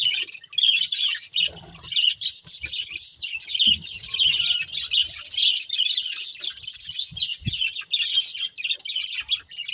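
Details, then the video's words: Budgerigars, a breeding pair, chirping: dense, continuous warbling chatter of rapid high chirps and scratchy notes with brief soft thumps, the twittering running almost unbroken throughout. "Cute Budgies Chirping Sounds | Love Birds Breeding Pair"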